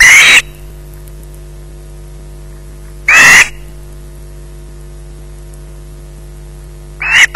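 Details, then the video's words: Osprey screeching at a Loch Garten nest while in possession of a fish in the evening: three loud, rasping squeals spaced about three seconds apart, separated by quiet with a steady low hum. "Bynack screeching in possession"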